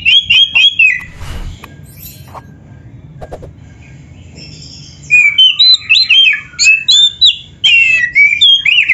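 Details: Oriental magpie-robin in vigorous song rich in filler phrases: a fast run of repeated whistled notes, a few seconds of near quiet, then dense chirping and whistled phrases.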